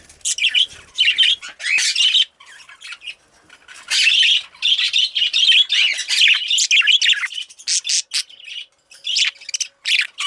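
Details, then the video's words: A female budgerigar chirps almost nonstop, a busy stream of warbled, scratchy high notes and squawks in dense runs, with a brief pause near the start and a few gaps near the end. "Female Budgie/Parakeet Chirping"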